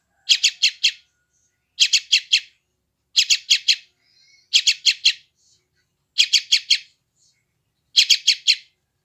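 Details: Sooty-headed bulbul chick from West Java, recorded by Android phone, a sound used to tame newly caught wild birds; scratchy chirps in bursts of four, spaced roughly 1.5 seconds apart, faint squeaks between.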